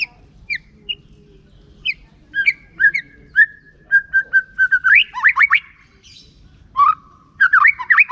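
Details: White-rumped shama song used as a lure to get other shamas singing: scattered sharp notes, then a steady run of even whistles, a quick warbled flourish, and a final varied burst.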